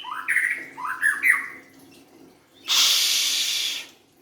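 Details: White-rumped shama song: a short run of rising, slurred whistled notes, several sliding upward, followed by a loud, steady, hissing burst of broadband noise lasting about a second.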